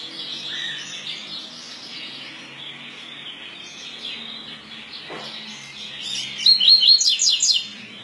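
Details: Double-collared seedeater, a coleiro pardo, with a tui tui type song. A long quiet hiss is followed near the end by a loud, high, fast string of ringing whistled notes lasting about a second.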